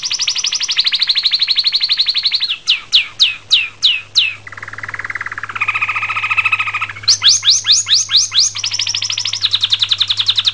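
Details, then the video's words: Singing canary that moves between rapid high trills, loud falling whistled notes, and lower rolling buzzes before returning to quick trills. A faint low hum sits underneath. "the best sound of Canary اجمل اغاني الكناري"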